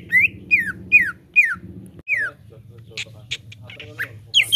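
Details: Cucak ijo (green leafbird) song meant to coax a caged bird into full song: five loud downslurred whistles about half a second apart over a low drone, then softer scattered chips.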